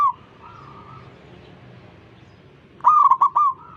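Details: Zebra dove leading other zebra doves into song. A faint, level coo from another dove opens the clip, then a loud, bubbling, trilled phrase of stuttering notes follows near the end.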